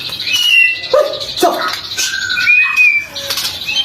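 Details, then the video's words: Morning and afternoon lure song of a White-rumped shama: clear drawn-out whistles at differing pitches, a few lower fluty notes, with light rustling behind. "Pancingan murai batu untuk pagi dan sore hari"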